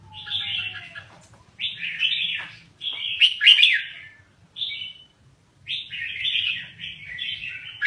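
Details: Lao-type red-whiskered bulbul in a cage, singing its rolling rapid style: five or so lively warbled phrases about a second apart, clear and whistled, with a faint low whistle at the start.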